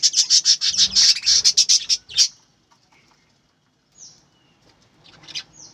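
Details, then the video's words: A quick string of sharp, even high chirps from farm-bred budgerigars for about two seconds, then near silence and a few thin whistled upslurs. "বজিগর পাখির ডাক । পাখির কিচিরমিচির শব্দ"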